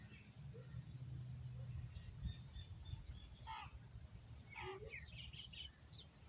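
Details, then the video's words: Black francolin (kala teetar) gives harsh, grating, rhythmic notes in two quick bursts over a steady low rumble of traffic or wind. "Kalateetar karcinn"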